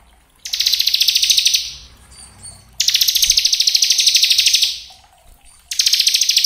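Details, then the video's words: Bar-winged prinia, crystal type, singing as a lure recording to stimulate other birds: three long, fast trills of dense repeated high notes, each over a second long, with quiet gaps between. "Pancingan ciblek agar cepat bunyi gacor ngebren"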